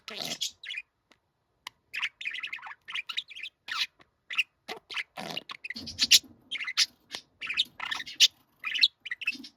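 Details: Budgerigar, a young bird that grew tame, utters rapid sequences of brief scratchy chirps and clicks that build into denser bursts of chatter toward the end.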